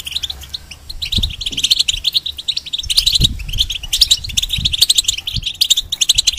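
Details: Moulting caged goldfinch sings a tutoring song for hybrids. Busy, chattering twitters come in bursts, growing louder and denser after the third second, with faint low background rumbles.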